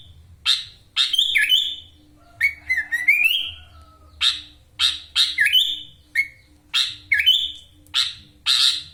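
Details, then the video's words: Sooty-headed bulbul kept in Wonosalam, East Java, in full 'ngekek' filler song: harsh bursts alternating with short rising whistles, a mid-phrase wavering chattering climb, over a faint steady low hum. "Kutilang gacor full isian Ngekek LB ngotot suara tembus"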